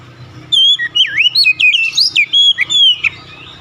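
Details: Oriental magpie-robin song: an unbroken two-and-a-half-second sequence of loud, sweet whistles, curling loops and quick slurs, with a steady low hum underneath.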